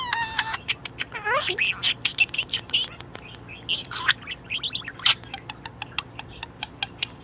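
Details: Budgerigar in top mood chattering: a harmonic whistle, slurred rising squeaks and scratchy chirps, then a steady series of sharp clicks repeated about five times a second near the end.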